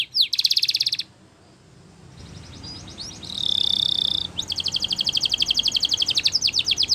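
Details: Spanish Timbrado canary song used for training canaries: a fast trill of high notes, a pause, a steady whistled tone, then long rapid rolling trills of repeated descending notes.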